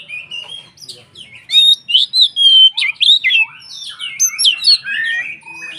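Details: Energetic song of a white-rumped shama played to stir other shamas to sing, a continuous run of sweet whistles, upslurred notes and scratchy chatter, louder in the second half.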